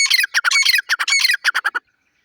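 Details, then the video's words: Grey francolin, the dakhni teetar, calling with a rapid string of raucous, grating phrases that break into short choppy notes and then end abruptly in silence. "lovely partridge Birds voice sound"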